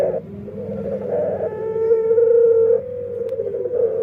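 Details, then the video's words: Caged dove with an unusual voice, a long steady hum-like coo holding one pitch with faint overtones, a brief lower coo before and after; indoor setting. "Suara Unik Burung Puter // Unique Sound Singing of dove"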